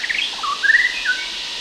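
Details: Brief White-rumped shama phrase recorded in Sumatra, Indonesia: a few quick chirps then a long smooth whistle, against a steady wash of distant cicadas.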